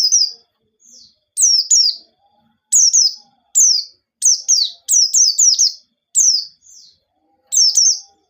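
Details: White-eye singing vigorously in wild 'ngalas nembak' style, used as a lure to start untrained white-eyes singing: high, sharp whistled notes sliding downward, in pairs and rapid runs, with short silent gaps.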